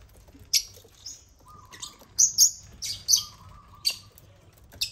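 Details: Agapornis lovebirds swarm a toy construction crane of millet; single and doubled high, thin chirps come at uneven intervals, with a faint steady tone in the background.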